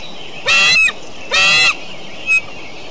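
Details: Decorah eagles on a beautiful morning: two loud, harsh, rapidly chattering harmonic calls about half a second each, then a brief fainter third note, over a quiet background.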